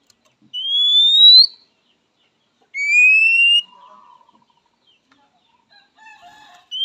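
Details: Oriental magpie-robin calling a rival, described as prompting quick replies from males and females: two drawn-out rising whistles, the second lower, followed by faint low chattering and the start of another whistle.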